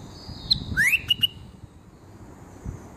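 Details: Bulbul calling with a brief bright whistle, then a rising slurred note followed by two short clipped whistles in quick succession, against faint low background hum.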